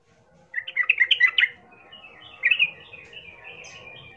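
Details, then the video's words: Sooty-headed bulbul singing as a lure to provoke rival birds into fighting; two bursts of rapid, bubbly chirped notes, the first lasting about a second, the second shorter, with quieter twittering after. "Pasti Nyaut ikut Tarung trucukan bermantal Berani mendengar pancingan trucukan gacor plong ini"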